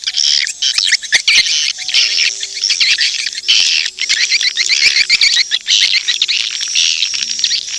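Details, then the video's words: Swiftlet lure sound for drawing edible-nest swiftlets: a continuous, crowded chorus of sharp high twittering chirps, almost without pause, with faint steady hum-like tones underneath. "suara panggil burung walet"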